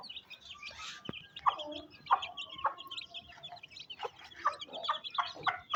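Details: In a Pakistani village on a rainy day, a hen feeds her young chicks. Rhythmic, throaty clucks come every half second or so, mixed with bright, high peeping from the chicks and a few sharp clicks.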